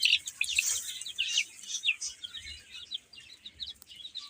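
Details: Little chicks feeding and playing, a bright cluster of high chirps at first, thinning to scattered peeps, with a single click near the end.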